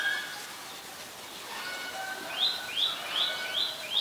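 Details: Common Myna (Acridotheres tristis) in Ubon Ratchathani, Thailand, May 4, 2022, gives a quick run of five bright, rising whistled notes, each about half a second apart, after softer chatter and faint outdoor noise.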